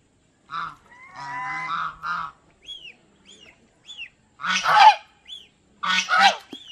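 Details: Domestic geese calling at Planet Earth Aquarium in Mysore: a rough, wavering honk sequence, then brief squeaky arched notes, and two loud, raucous honks near the end.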